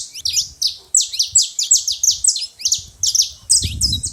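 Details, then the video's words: High, sharp chirps from a saffron finch at a feeding station come in a rapid, even-paced string, ending with a low rumbling noise underneath. "canário da terra fazendo muito barulho na seva"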